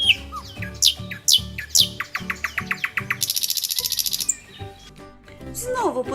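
Nightingale song of varied whistled phrases, a run of sharp repeated notes, then a fast buzzy rattle; gentle music plays underneath throughout.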